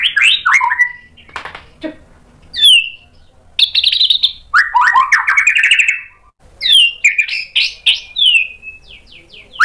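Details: White-rumped shama, provoked to sing, delivers a rich medley of whistles, downslurs, rattles and rolling trills in several phrases with brief gaps.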